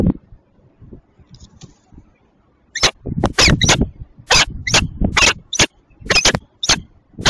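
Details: Peregrine falcon, a Belgian female at Tilburg Westpoint on the morning of 27 June 2024; after near silence, a loud, dense run of rough, grating calls in quick succession, some overlapping.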